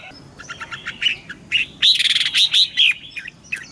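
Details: Morning song of a caged red-whiskered bulbul, double-note wild style: a dense run of bright, bubbling whistles, loudest in the middle, with quick up-and-down slurs and softer chirps before and after.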